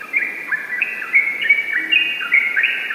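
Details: Yellow-vented bulbul singing in the rapid, continuous ropel style: overlapping clear whistled phrases that step up and down in pitch, bubbling along without pause for three seconds.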